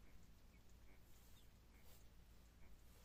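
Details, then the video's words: Unhatched Japanese quail chicks in pipped eggs, day 16–17 in an incubator with the fan switched off, give faint, brief, high-pitched peeps at irregular intervals over a soft background hiss. "можете прислухатися що наші перепелки вже пищать"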